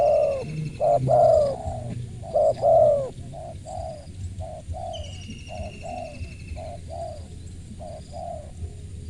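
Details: A crisp-voiced spotted dove cooing. Three loud phrases in the first three seconds, each a brief note then a drawn-out coo. A run of softer, shorter coos follows at an even pace. A thin whistle from another bird sounds midway.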